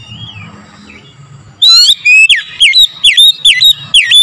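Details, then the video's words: An oriental magpie-robin sings a morning lure: after a faint, thin whistle, a sudden series of about eight loud, pure whistled notes, each dipping and rising, repeated roughly every half second. "TERAPI PANCINGAN AMPUH KACER DIPAGI HAR1"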